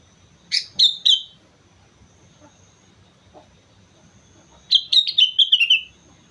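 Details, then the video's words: Sooty-headed bulbul singing lively on Mount Slamet: a quick burst of three bright, slurred notes, a long quiet pause, then a tumbling run of six bubbly descending notes, over faint background hum. "suara burung kutilang gacor gunung slamet"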